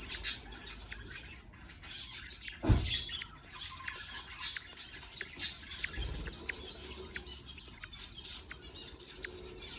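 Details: Budgerigar chicks are fed by a parent and beg with sharp, raspy, high chirps in a steady series, about one burst every half second. A soft low thump is heard partway through.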